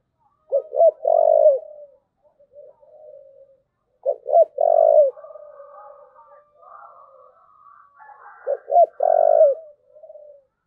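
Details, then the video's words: Spotted dove cooing in the style called "thúc gù": three phrases, each two short clipped notes followed by a long, low, slightly falling coo, with soft quieter cooing between phrases. "cu gáy thúc gù"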